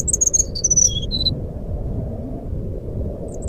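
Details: Brown-chested jungle flycatcher in fluting song, used to prompt silent birds: a lively opening string of high whistled notes dropping step by step to lower tones, then a lull with faint notes, over low rumble.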